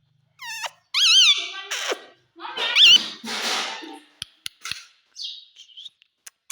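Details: Pet parrot speaking indoors, mimicking "mummy" and "papa": a series of wavering squeaky word-like calls and rougher chatter, then scattered clicks and a soft short whistle.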